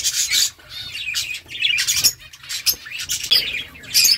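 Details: A group of budgerigars chirp in quick, bright, scratchy bursts with short rising and falling notes, a lively back-and-forth among several birds.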